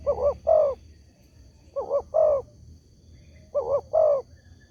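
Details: Tekukur, the spotted dove, calling as a lure to get other doves to respond: three repeated coo phrases, a quick double note then a longer rolling note, roughly every 1.7 seconds, with a thin steady whine.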